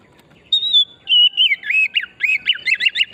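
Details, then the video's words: Wild-forest oriental magpie-robin in full song, a lure to prompt other birds to sing: a long level whistle, then a wavering one, breaking into a quick series of repeated arched whistled notes that speed up toward the end. "Pancingan burung kacer pesona hutan murni gacor"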